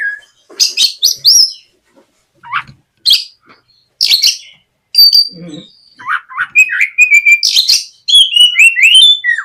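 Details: Lure song of a White-rumped shama meant to prompt a young bird to sing: bursts of sharp high chips and buzzy notes separated by short pauses, ending in a quick string of sliding whistles.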